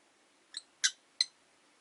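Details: Three quick, high chirps within about a second from caged rosy-faced lovebirds by a window. The middle chirp is the loudest, over light hiss.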